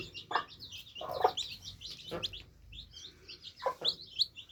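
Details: Baby chicks drinking, a group uttering short high peeps that overlap continuously, punctuated by a few louder clicks of beaks against a drinker.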